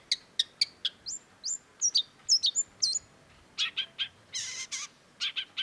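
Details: Energetic cendet, the long-tailed shrike, delivering a varied song of sharp chips and rising slurred whistles, followed by harsh rasping bursts and more clipped notes in quick succession against a quiet background.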